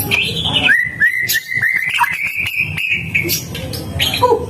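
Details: White-rumped shama in full song, called a costly, very active singer; a sustained whistled line with small steps and slurs, punctuated by sharp ticking clicks, over steady low background noise.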